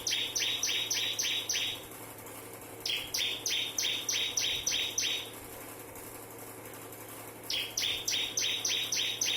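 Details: Nembak-style song of a crystal-type bar-winged prinia: rapid runs of about six bright, clipped notes, each stepping down in pitch, separated by gaps of roughly three seconds, with a faint constant hum behind.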